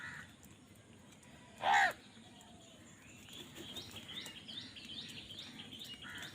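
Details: Crow fighting for food: a single loud, harsh caw about a quarter-second long stands out once against a quiet background of faint distant chirps and environmental hiss.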